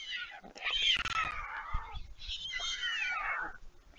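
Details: Fledgling white storks beg after flying back to the nest when a parent arrives to feed them, at Leemansmolen, Vriezenveen, Netherlands, July 11, 2022. Two quick, sliding, whining cries overlap, falling in pitch, with faint low knocks.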